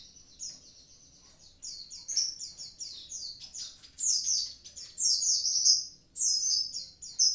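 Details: An active Javan pied starling in vigorous song. High, sharp, descending notes come in quick strings, building from soft opening chirps to louder, crowded phrases near the end.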